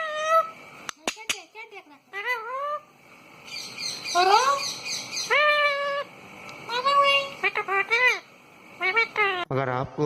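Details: A pet rose-ringed parakeet makes a busy run of calls. Sharp squeaks and rising, arching harmonic notes are mixed with rapid chatter and a burst of trilled, wavering squawks at the end.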